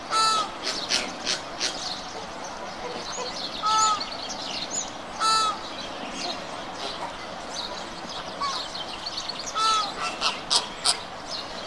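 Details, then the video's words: Repeated loud nasal flamingo honks every one to two seconds, some doubled, standing out above a continuous chatter of many other flamingos calling. "Flamingo. Video and sound."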